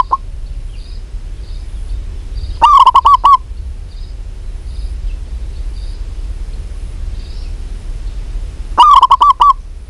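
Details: Female zebra dove, local type, calling a male: two short rapid bursts of staccato coo notes about six seconds apart, with faint thin high chirps from another bird in the background.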